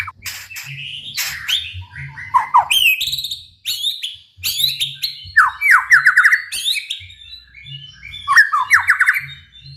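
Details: White-rumped shama singing energetically, a varied run of whistled notes, sharp upslurred chips and rapid descending trills between about one and four thousand cycles, phrases tumbling quickly with brief pauses; low background hum throughout.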